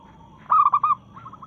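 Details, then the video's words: Single loud, rolling triple coo from a local zebra dove challenging rivals during breeding excitement. A faint, quick coo series from another bird follows. "Perkutut Lokal Gacor SUARA menantang lawan"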